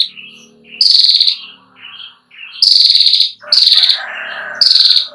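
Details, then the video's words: Female Ashy prinia trilling at length, a recording for tutoring young prinias: four bright, fast-pulsed high trills, one about a second long, interleaved with softer lower chirps and a brief buzzy undertone. "Prenjak Klawu Betina NGETIIR panjang"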